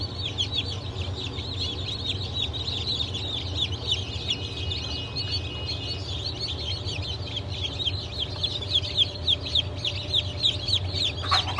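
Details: Newly hatched chicks of Legbar, Silver Wyandotte, Sussex and GSG Wyandotte breeds, hatch of 28 June 2023; dense overlapping high, short peeps repeated rapidly throughout over a steady low mechanical hum.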